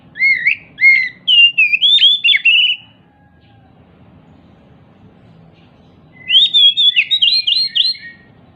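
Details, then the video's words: An excited, hopping Oriental magpie-robin sings as a lure for silent birds of its kind. Bright whistled phrases with rising and falling slurs run for nearly three seconds, then a pause, then a second rapid run of whistled notes. "Pancingan Kacer MACET BUNYI, dengan Kacer EMOSI LONCAT INI, dijamin NYAUT GACOR KACERNYA"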